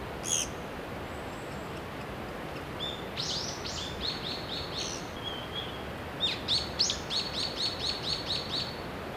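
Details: Nestling Japanese pygmy woodpeckers in Shimokitayama, Nara, Japan, begging as parents bring food every 15 to 30 minutes: scattered high squeaks build into a fast, rhythmic series of sharp chirps near the end, over constant outdoor hiss.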